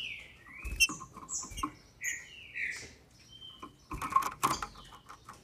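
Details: Female green-winged saltator kept in a cage in Brazil, sung to excite males: a few gliding whistles mixed with loud rustling, tapping and clicking noises.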